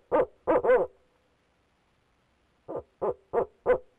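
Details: Barred owl, a male, calling from inside a nest box: a run of three hoarse hoots, a pause of nearly two seconds, then five more spaced about three per second, the last drawn out and wavering.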